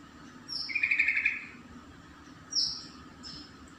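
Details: Yellow-vented bulbul calling to rivals, used as a lure for young birds, gives a quick bubbly, chattering phrase of fast rippling notes, followed by a few thin, high, sharp chips.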